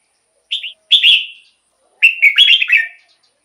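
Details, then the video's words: Caged red-whiskered bulbul singing, a recording meant for decoy use or to rouse other birds: two short bubbly whistled phrases, then a longer warbled phrase after a pause, in an otherwise quiet background. "เสียงนกกรงหัวจุก สำหรับต่อ หรือ เปิดให้นกคึก เสียงเพราะๆ"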